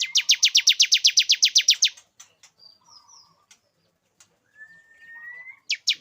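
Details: Male bar-winged prinia singing to lure a female into breeding condition: a two-second burst of about fourteen rapid, strident, evenly spaced notes, then soft scattered chirps, a long thin rising whistle, and two more loud notes.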